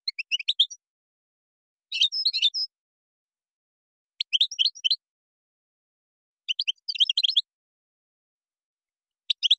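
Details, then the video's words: European goldfinch from Morocco in Moroccan song style with gazarat and srrr bertbertiu phrases: short bright twittering bursts of high tinkling notes, repeated roughly every two seconds with silent gaps between. "تغريد مغربي ڨازرات + سررر برتبرتيو canto jilguero marocco"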